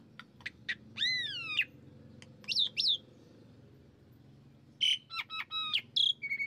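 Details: Lure song of the Asian pied starling, or jalak suren, for getting a kept bird to sing: scattered clicks and long arching whistles, a pause, then quick chirps and whistles over a steady low hum.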